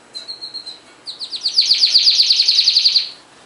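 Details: Canary singing: a brief steady whistled note near the start, then a fast rolling trill of rapid repeated notes building louder for about two seconds.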